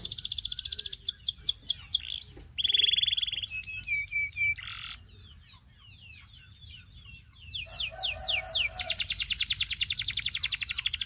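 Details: Canary singing for training and coaching: a rich, continuous song of rapid descending whistled notes, a flat pure whistle, slurred tours, a brief quieter gap, then a long fast metallic roll.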